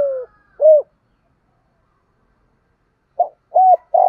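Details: Spotted dove, a decoy bird's thúc gù coo used to train newly caught or long-silent doves to call: low hollow coos, a short note then a longer level one, a pause, then another short-long pair.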